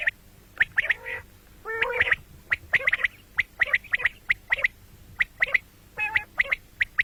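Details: Common quail: a steady stream of sharp, high whistled notes in rapid doublets and triplets, mixed with a couple of short buzzy, rasping calls, recorded morning and night.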